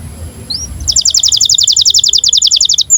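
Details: Canary in breeding condition singing to train young canaries: one rising whistle, then a rapid, high, evenly pulsed trill of about twenty-five notes over two seconds.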